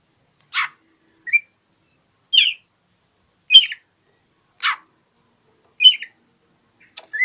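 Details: Oriental magpie-robin seeking a rival, giving short separated notes about once a second: sharp buzzy rasps alternating with brief twisted whistles, steady and clean with no other sounds.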